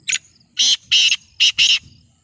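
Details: Black francolin from Sindh, a newly acquired bird, gives a harsh, grating call in five loud bursts: a short opening note, then four longer rasping notes in a quick, uneven run lasting under two seconds.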